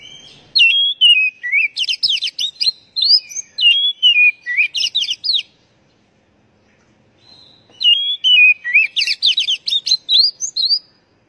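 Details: Oriental magpie-robin song intended to stimulate captive birds: two long bursts of varied song, each several seconds of rich whistles and fast chattering, scratchy notes, separated by a pause of about two seconds.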